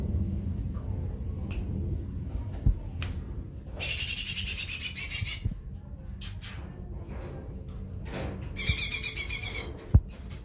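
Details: Lesser green leafbird (cucak ijo mini) singing: two bursts of rapid, buzzy, harmonic trilling at a steady high pitch, each lasting about a second and a half, separated by quieter gaps with a few clicks and low background rumble.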